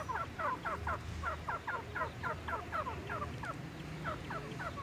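Grey francolins give harsh, ringing, slurred notes about four a second, overlapping as if several birds call together, over a low rumbling hum.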